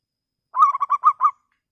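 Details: Clear-voiced local zebra dove, kept as a lure to draw rival birds into answering, delivers one staccato cooing phrase: a rolling burst of five or six bubbly notes, then a short fading tail, in a quiet background.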